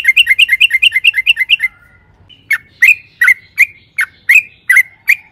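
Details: Yellow-vented bulbul lure song, long 'ropel' style: a fast run of bubbly chirps followed after a pause by slower, evenly spaced loud liquid notes, each sliding down in pitch.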